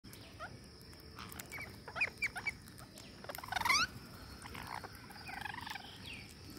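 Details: Green parakeet at feeding time: scattered short, squeaky chirps and quick rising notes, then a brief burst of sharp overlapping calls near the middle, over a steady background hum and faint rustling.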